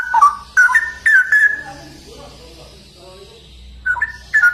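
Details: Straw-headed bulbul, locally cucak rowo, in energetic 'ropel' song: short clusters of rich, liquid whistled notes open and close the passage, with a softer murmur of low warbling between them.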